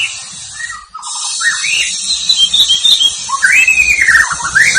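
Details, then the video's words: White-rumped shama singing while provoked by a rival, in the rolling (ngerol) and sharp-burst (nembak) fighting styles: loud whistled notes and slurred rising phrases, heard over heavy broadband hiss. "MURAI BATU GACOR NGEROL KASAR DAN NEMBAK RAPAT"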